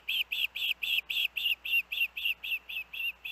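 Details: Osprey at the Hellgate nest with the kids, August 23, 2024, hours after dangerous winds: a regular series of about thirteen strong, clear whistled chirps at an even rhythm.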